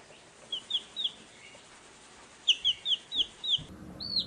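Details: Baby chickens peeping in a farmyard: a few scattered high down-slurred chirps, then a quick run of five loud similar peeps in about a second, ending abruptly.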